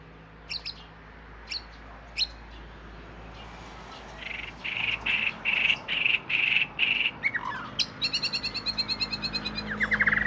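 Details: Oriental magpie-robin, called binla in southern Thailand, the household's first bird: scattered sharp chirps give way to a run of short, bright notes repeated in quick rhythm, then fine rapid trills near the end.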